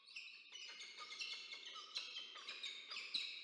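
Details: Peregrine falcons at a nest in Orange, New South Wales, Australia, on 22 October 2024, as the male delivers food and the female feeds two chicks; continuous high, harsh, overlapping wailing calls rise and fall without a break.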